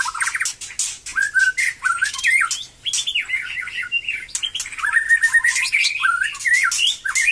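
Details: After its moult a white-rumped shama is getting back into song, delivering jerky, stepped whistles and warbled runs in quick succession, with hard clicking noises between phrases.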